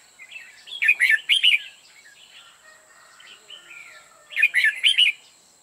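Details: Red-whiskered bulbul used as a decoy during novice trapping, singing to lure other bulbuls: two loud bursts of rapid, bubbly warbled notes about three and a half seconds apart, with softer scattered chirps in between and a faint steady high whine.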